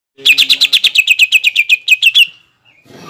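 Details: Greater green leafbird in lure song meant to stimulate contest birds into the ngentrok fighting style, a rapid run of about eighteen bright, downslurred whistled notes on one pitch, ending in a trailing note and a soft scrape.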